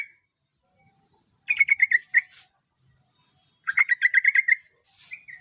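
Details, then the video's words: Prospective champion yellow-vented bulbul (trucukan) sings two rapid chattering phrases of bubbly, slightly descending notes, each lasting under a second, separated by quiet, with a brief rising whistle at the end. "BURUNG TRUCUKAN JAWA CALON JUARA"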